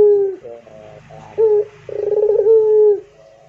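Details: A Barbary dove giving pelung cooing against faint background noise: a few soft broken notes, a short clear note, then a rapid pulsing roll that flows into a sustained level hum.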